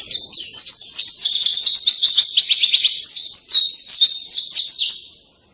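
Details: Loud canary-style song of a white-eye, known locally as pleci: fast, tightly packed high twittering notes with quick down-sweeps, streaming without pause for almost five seconds.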